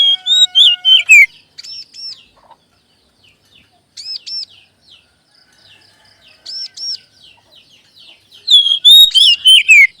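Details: Oriental magpie-robin (kacer) lure song used to prompt other kacer to sing: loud whistled phrases, with sliding notes falling from high to mid pitch and paired arched high notes, in bursts at the start and end separated by softer fragments.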